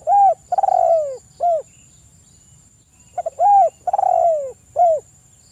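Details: Spotted dove used as a lure to provoke other doves into calling: loud cooing phrases, a short coo, a longer falling coo, then a short coo, repeated twice with a pause between; faint steady high hiss behind.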